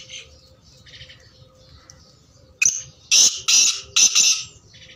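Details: Black francolin, described as joyful and singing; several loud, harsh, broad bursts of about half a second each in the second half, following faint scratchy notes, over a steady low hum.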